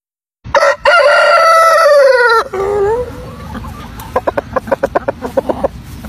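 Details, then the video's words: Rooster crowing in a compilation of crows from various countries: one long, loud, harmonic crow lasting about two seconds and falling at the end, then a lower tail and a series of sharp clucking clicks. "Tiếng gà gáy của các nước trên thế giới"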